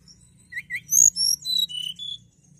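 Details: Hill prinia in lively full song, meant to spur young cage birds: a quick string of high, clear whistled notes, some sliding down, others short and bright, rising in loudness mid-phrase before trailing off.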